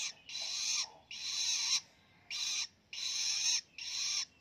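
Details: A young, newly independent long-tailed shrike learning to sing gives five harsh, hissing rasps, each about half a second long, with short pauses between them as it practises its song.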